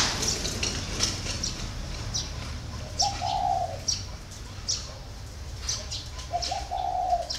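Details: Four-year caged spotted dove delivers two spaced coo phrases, a brief note run into a longer warm coo, against steady background noise and scattered high chirping of other birds.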